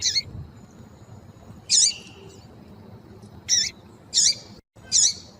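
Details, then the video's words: Female double-collared seedeater calling, used to stimulate and excite males into singing; four short, high, harsh chirped notes spaced irregularly about a second apart over a quiet background with faint low hum. "Piado Fêmea de Coleiro para Esquentar e Foguear Coleiro Tui Tui"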